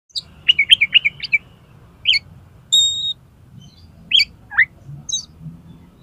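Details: Oriental magpie-robin song, offered as a lure and tutor to get contest birds singing: a quick chattering run of five sharp notes, then scattered chirps, a clear steady whistle and a downslurred note, over a faint low rumble.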